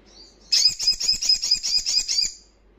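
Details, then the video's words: Wild crimson sunbird singing loudly: a high, thin, rapid trill of about a dozen sharp metallic notes lasting nearly two seconds, then stopping in a quiet background. "Sogon Ngalas Kencang"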